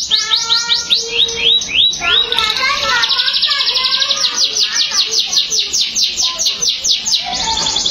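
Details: Emotional canary song starting with separate downward-sweeping notes, then a dense buzzy trill and a long fast series of repeated high descending whistles, ending on a sustained tone.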